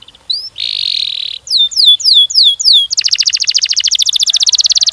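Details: Canary in long, fast-paced song intended as a lure for other canaries: a few rising notes, a harsh buzzy block, a run of downward-swept whistles, then a rapid pulsing trill.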